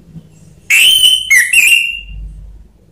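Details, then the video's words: Orange-headed thrush lure song meant to get reluctant birds singing: a strong whistled phrase, a sustained note, a brief break, then a descending whistle rising into a long ringing note, over a quiet low background. "Pancingan Anis Merah/seketika emosi bikin Ngakrak lanjut ngeplong"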